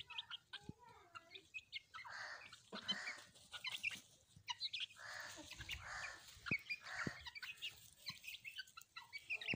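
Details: Pet hens with their chicks at play: repeated hoarse clucking bursts and thin high chirps, with sharp clicks and flapping sounds between calls.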